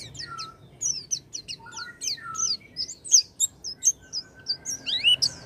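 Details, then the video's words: Oriental white-eye song played to get a silent white-eye singing: varied high chirps and down-slurred whistles in a lively sequence, with some lower sliding notes. "pancingan pleci macet bunyi dengan suara ini"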